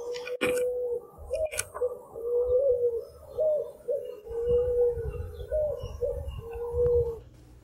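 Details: Picazuro pigeon (Patagioenas picazuro) in Brazil singing melodious, mournful coos, deep and mellow, in a steady series roughly every two seconds, over a low background rumble and a couple of clicks.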